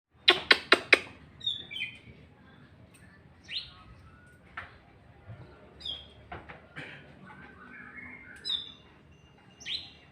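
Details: Oriental magpie-robin, a songbird said to sing readily at home but not at contests. A burst of sharp clicking notes opens, followed by scattered short whistled phrases, some rising and some falling, with pauses between them and a low background hum.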